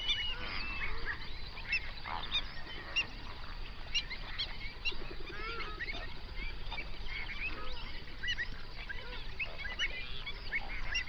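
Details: Hundreds of flamingos on a lake in a national park in South Africa's Overberg region, recorded binaurally around sunrise; a dense, continuous chorus of nasal honks and chatter overlapping throughout, with no single call standing out.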